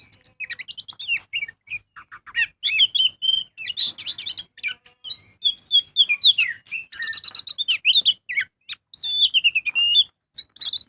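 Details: Kacer (magpie-robin) singing loudly as a lure to make birds sing: fast, varied sequence of trills, sweet whistles and rattling buzzy phrases, nearly without pause.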